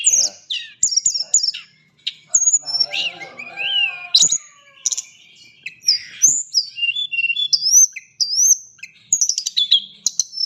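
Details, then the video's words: Tame, very active blood-breasted flowerpecker (tledekan gunung) in full varied song: sharp high chirps, fast trills and upslurred whistles in rapid phrases separated by short pauses, with softer lower twittering in the middle. "Tledekan gunung gacor jinak ngobra full isian"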